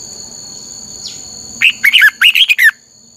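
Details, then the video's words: Song of a red-whiskered bulbul used as a training lure: after a hum and a steady high whine, a lively one-second phrase of about eight rippling, warbled notes rises and falls in quick succession. "luyện giọng cho chào mào hót hay"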